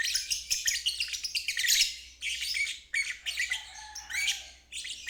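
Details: Lovebird giving ngeriwik song, a therapy recording for stalled and young birds learning to sing; quick high twittering phrases broken by brief pauses, some squeaky notes, and a faint low hum beneath.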